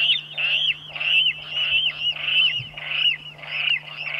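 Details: Water rail (Rallus aquaticus) giving harsh, pig-like squealing calls with short rising whistles, repeated about every half-second, over a faint steady low hum.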